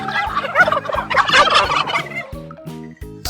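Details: A domestic turkey gives one long, bubbling gobble of fast rattling notes lasting about two seconds, then falls silent while gentle background music continues.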